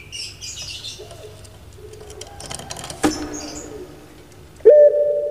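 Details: A captive Barbary dove (puter pelung, Streptopelia risoria) kept in Java, Indonesia, gives low, soft, hollow cooing notes ending in a louder drawn-out coo, with thin chirps from small birds and rustling in the background.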